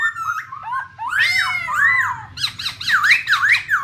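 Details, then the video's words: Female black laughingthrush rolling 'ro ro' with a male beside her. Quick slurred whistles give way to a loud harsh burst, then a run of repeated V-shaped whistled notes. "Khướu mun mái Ro Ro kèm trống thúc kích bổi,mồi căng lửa"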